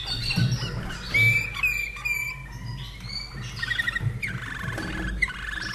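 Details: Caged common nightingale from Austria, a 2011 bird, sings a medley of bright whistled slurs, clicking notes and a closing series of quick repeated chirps, with a low background hum.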